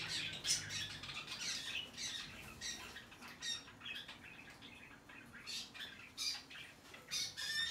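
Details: Hand-tame peach-faced lovebirds recorded on 21 March 2020, giving shrill, harsh squawks in rapid bursts with short gaps, layered chattering, and a brief flutter of wings near the start.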